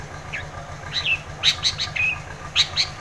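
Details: Long-tailed shrike in vigorous 'gacor' song, used to coax a silent shrike into singing: scattered sharp, high chirps and short down-slurred whistles at irregular spacing over a steady low hum.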